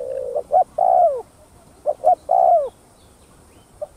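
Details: Full 'thúc gù' cooing of a spotted dove, played to rouse decoy doves: two matching phrases of a low coo, a sharp accented note and a long downward-sliding hoot, then silence.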